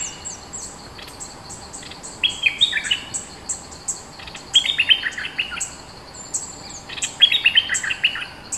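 A bulbul sings short, bubbly bursts of quick chirped notes every two to three seconds.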